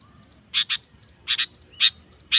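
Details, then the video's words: Afternoon Sooty-headed bulbul voice: rough, buzzy doubled chirps repeated about every half to one second, a faint low rumble and a steady high whine underneath. "suara burung kutilang"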